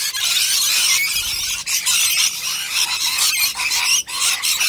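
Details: Rainbow lorikeets crowding in huge numbers at nectar, heard at close range: loud, harsh screeching from many birds in a constant noisy chorus, broken by a couple of short lulls.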